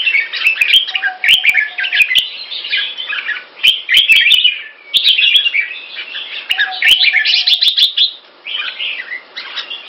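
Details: Singapore-kept caged red-whiskered bulbul, red-faced, pours out clear, loud phrases of quick jumbled whistles and chirps, roughly six bursts with brief gaps, with sharp clicks and a faint steady low hum now and then.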